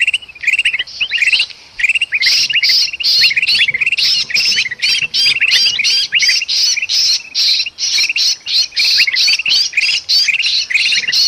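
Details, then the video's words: Agitated, seemingly trapped bulbul from Sumatran forest, used as a lure. It makes a relentless run of raspy squawking bursts with quick hooked chirp notes underneath, pulsing rapidly with only tiny gaps throughout. "suara kutilang emas ribut sama kutilang kejepit paling ampuh pikat burung"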